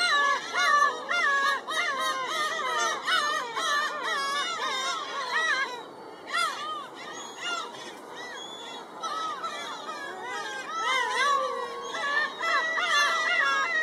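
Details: Black-tailed gulls, several together at Shinobazu Pond in Ueno on 10 July 2011, giving loud nasal mewing calls in rapid overlapping bursts. The calls are wavering and slurred, nearly continuous with a short lull near six seconds, over a steady high hiss.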